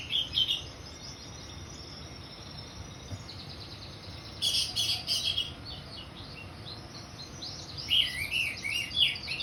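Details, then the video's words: In the 'ngeplong' song style, an orange-headed thrush gives separate bursts of bright, fluid whistles and rapid chattering notes, broken by quiet gaps of a few seconds, over faint background hiss. "Anis merah ngeplong"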